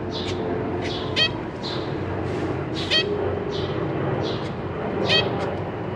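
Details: Caged zebra finch family on 14 April 2023, a parent pair with three juveniles and three newly hatched young being fed; short nasal calls spaced about a second apart sound over a steady low hum.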